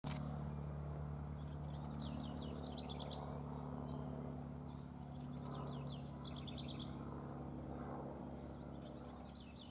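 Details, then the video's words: Juvenile house wrens (Troglodytes aedon), presumed young from the begging behaviour, at Ridgefield Wildlife Refuge, Washington, beg with thin, high chirps and quick descending chatters, repeated steadily over a constant low rumble of wind or distant traffic. "House Wren (Troglodytes aedon) - Begging."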